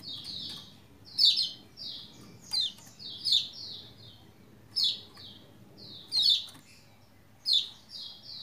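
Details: Lombok white-eye song played to get sluggish white-eyes to answer: repeated high, rapid sweeping phrases with sharp falling chirps, coming in bursts about every second or two.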